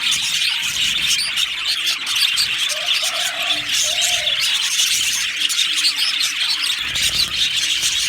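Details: Happy budgerigar colony in an aviary, busy overlapping chirps and twittering from many birds, with a few lower drawn-out coo-like notes partway through.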